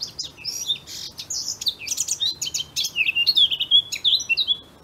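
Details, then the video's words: Eurasian blackcap singing a rich, fast warble of varied whistled and chattering notes, mostly high-pitched, in quick bursts that build toward louder fluty phrases near the end; no other clear sounds. "The Most Beautiful Bird Songs In The World - part 7 - Blackcap"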